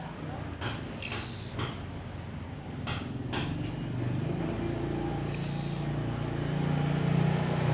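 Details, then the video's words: Orange-headed thrush singing gacor, a long persistent song meant as a tutor for other songbirds: two brief, very high whistled phrases, each with a falling slur, about four seconds apart over low background hum. "Anis Merah GACOR Panjang"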